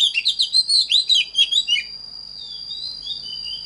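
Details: Quick burst of sweet, sliding whistles and twittering notes from an Oriental magpie-robin, about ten notes in under two seconds, then a thin drawn-out whistle over a constant high-pitched whine.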